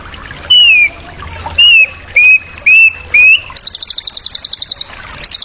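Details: White-rumped shama song played as a tutor to stimulate young birds: five loud, drawn-out descending whistles spaced about a second apart, followed by a rapid, very high rattling trill of even repeated notes.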